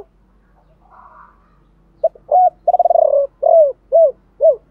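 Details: Decoy spotted dove cooing 'gọi ba hậu' with 'thổ pha' voice: a faint murmur first, then a hiccuping opener, a rolled tremulous coo and three crisp downward-arched coos, no other sounds.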